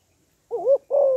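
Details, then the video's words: Female spotted dove calling to excite males. A single wavering note, then a long steady low coo that is cut off at the end. "Tiếng Cu Gáy Giọng Hấp Dẫn ĐỦ BÀI [GÁY GỌI,THÚC,GÙ]"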